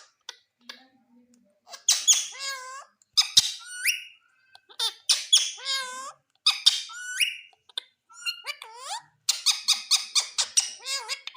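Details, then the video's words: Indian green ringneck parakeet kept as a pet, talking in near-continuous bursts of harmonic, speech-like chatter, with quick rising and falling inflections, some harsh broadband squawky syllables and short pauses between phrases. "Beautiful indian green ringneck parrot talking♥️"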